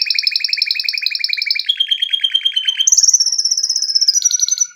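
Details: Canary song made of rapid trilled tours, a steady repeated-note trill stepping down, then a higher thin whistled trill, delivered loudly and continuously.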